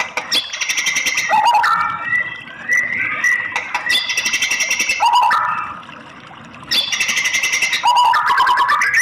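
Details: Female white-rumped shama call meant to rouse a male: harsh buzzy rattling bursts alternate with mellow rising whistles, the rattle-then-whistle pattern repeating about every three seconds.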